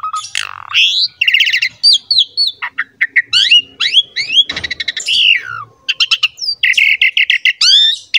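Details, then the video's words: An Asian pied starling in full, lively song with a pumping display, meant to set other starlings singing. Loud swooping whistles mix with grating chatter and quick stuttered trills, delivered almost without pause. "SUARA JALAK SUREN GACOR MOMPA UNTUK PANCINGAN JALAK"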